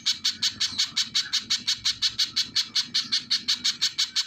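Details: Sharp, high-pitched chips from a little spiderhunter repeated in a fast, regular rhythm, close to three per second, clean and continuous.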